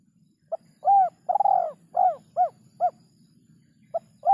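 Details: Spotted dove, known locally as terkukur, giving its 'kuk 3' call: a series of hollow cooing notes around mid pitch, one long burry coo followed by shorter arched coos, with a low steady hum beneath.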